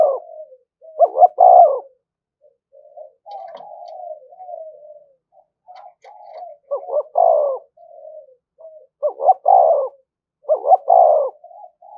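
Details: Spotted dove kept as a decoy, calling all the while to provoke fighting: repeated hollow coo phrases, quick double notes leading into a longer falling coo, with quiet droning coos filling the pauses.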